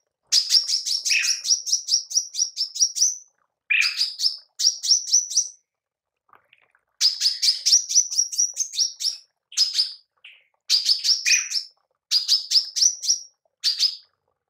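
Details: Female manggar, a songbird, recorded as a training call for songbirds: rapid trains of sharp, high chirps, about ten per burst, rising slightly at the end, repeated in bursts separated by short pauses; no other sounds.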